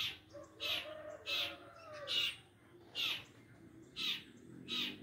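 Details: Long-tailed shrike singing actively: loud, harsh, buzzy bursts repeated about every 0.7 seconds over a low background hum.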